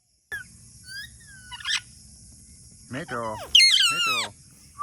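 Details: Talking parrot producing a few thin whistles, then a low, voice-like gurgling phrase and a loud, wavering screech over a faint steady hum.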